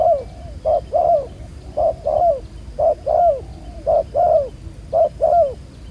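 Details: Spotted dove, a newly caught wild bird with black collar spots, cooing at a ground trap: steady pairs of mellow low notes, brief then drawn-out and sliding down, about once per second.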